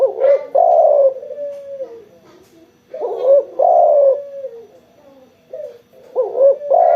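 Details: Spotted dove, vocal after sunbathing, giving two full cooing phrases and the start of a third. Each opens with a brief rising note, swells into a strong sustained coo, then fades into a lower drawn-out tail.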